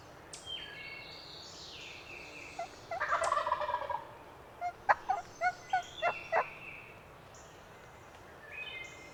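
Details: Spring gobbler on its roost in remote Pennsylvania hills: a rattling gobble lasting about a second, then a quick series of about seven clipped yelps or clucks, with birdsong across the dawn woods.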